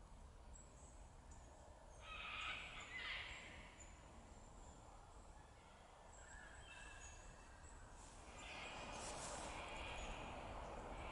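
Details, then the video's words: An Eastern Yellow Robin in Dandenong Ranges National Park, Victoria, Australia, on 21 April 2021, gives about three spaced bursts of mid-pitched piping notes over steady wind and faint high background birds. "Eastern Yellow Robin"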